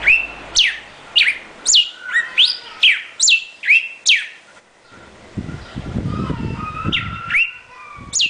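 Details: Northern Cardinal song: a run of about nine loud, clear, steeply down-slurred whistles repeated twice per second, followed by a pause with low rumbling noise and softer slurred notes, then one more down-slurred whistle.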